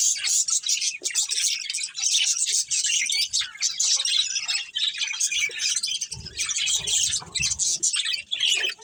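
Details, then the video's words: Budgies of a breeding colony keep up nonstop high-pitched twittering and scratchy warbles, with many voices overlapping and brief pauses, plus low bumping noises from the cage. "Cute Budgies Chirping Sounds"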